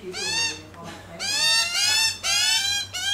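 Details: Australian magpies feeding on bacon on a lawn, calling in the family: loud, drawn-out nasal notes, rich in overtones, given in three or four long bursts.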